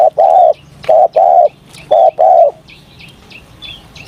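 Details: Morning cooing of a spotted dove during voice training: three pairs of low, soft, hollow coos, each a short note and a longer one. Faint high chirps of another bird follow.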